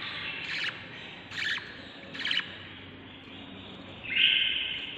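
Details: Budgerigar chicks, part of a brood of seven babies inside a breeding nest on day 38, give three short raspy chirps about a second apart, then a longer, harsher squawk near the end, over a steady low hum.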